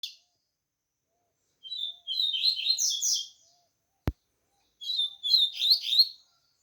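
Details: A captive Double-collared Seedeater coming out of moult and starting to open its song gives two bursts of fast, high, twittering song, about two seconds each, with a sharp click between them.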